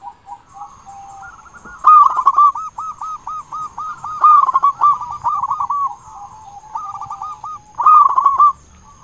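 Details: A local zebra dove, recorded as a lure to stir other doves to sing, sings in bursts of rapid, bubbling, staccato coos, each run lasting about a second, over a faint steady high whine.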